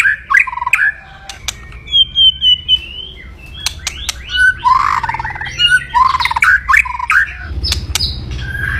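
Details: White-rumped shama crackling aggressively in kretekan style to raise rivals' fighting mood: scattered sharp clicks, short whistled slurs and chattering phrases over a steady low hum.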